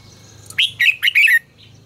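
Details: Caged red-whiskered bulbul singing a training song, one short phrase of four quick whistled, slurred notes around the upper-middle range, sweet and warbling, over a low steady hum.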